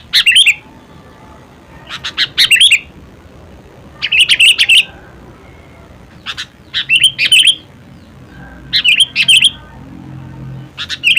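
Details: Kutilang, or sooty-headed bulbul, singing short loud phrases of two to four sharp, bubbling chirps every couple of seconds.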